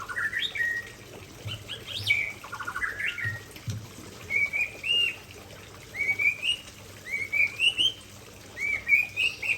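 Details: White-rumped shama from Aceh performing its isian fill: a jumbled opening of quick notes and buzzy pulses, then repeated paired rising whistles given every second or so.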